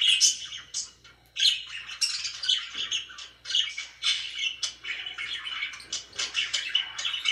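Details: Budgerigars kept as pets keep up busy chatter: rapid, buzzy warbles and scratchy chirps in dense bursts, one brief lull after the first second, with a quiet low hum beneath.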